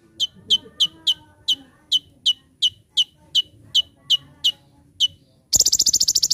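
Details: Olive-backed sunbird (konin) master song for bird training: a regular string of sharp, piercing downslurred chips, about fifteen in five seconds, then an abrupt loud, rapid buzzing rattle at the end.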